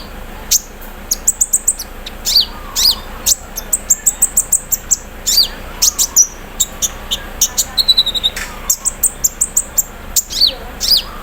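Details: Caged olive-backed sunbird (konin) in the morning, set out in the dew, singing with imitated embroidery-machine phrases: rapid high sharp chirps and downslurred notes, fast rattling bursts and a brief buzzy trill, low background hum.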